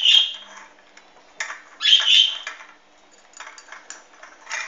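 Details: On 16 March 2013 a Hahn's macaw utters harsh screechy squawks, a loud one at the start and a doubled burst near the middle, followed by softer scratchy chatter.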